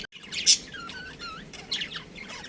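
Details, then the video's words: A breeding pair of pet budgies at home; a loud sharp chirp, then softer scratchy twittering notes and short warbles in an indoor setting. "Cute Budgies Chirping Sounds | Budgies Breeding Pair"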